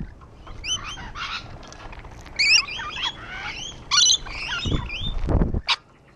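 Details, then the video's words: Rainbow lorikeets on a wall trade short, shrill squeaks and chatter, scattered at first, then louder raspy bursts near the end. "Rainbow Lorikeets on the wall"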